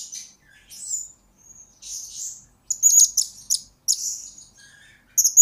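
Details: Blue-crowned hanging parrot, a lure and master recording for training birds: scattered very high thin whistles, then clustered sharp chirps and buzzy trills in short bursts, with brief silent gaps.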